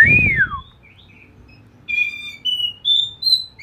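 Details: Ngeplong bird, recorded as training song for a magpie robin: one arching whistle that rises then falls, a pause, then a few soft high notes climbing in pitch.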